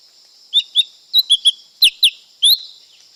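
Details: ['Lesser green leafbird song: eight short, sharp whistled chirps in about two seconds, some rising or falling, over a steady high hiss.']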